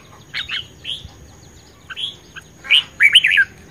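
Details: Red-whiskered bulbul, a vigorous, fired-up competition songbird, recorded 10 May 2020, singing short bright warbled phrases at first, then a louder run of rapid twisting whistled notes near the end, with quiet pauses between bursts.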